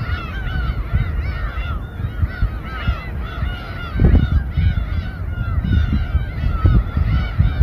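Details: Harbour gulls massing over a boat where fish is being sliced at Samgilpo, Seosan, Korea: a thick chorus of nasal, bending cries, with a couple of sharp knocks and constant engine hum.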